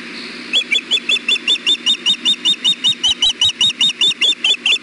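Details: Osprey at a nest watched by camera on 5 May 2016 around 11:24 am, the male delivering a fish with fishing line attached; a steady run of sharp, high chirps repeats about two and a half times per second.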